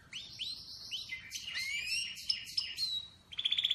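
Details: Atlantic canary giving quieter song of upslurred chirps, sliding whistles and a brief rapid trill at the end, with soft low background noise.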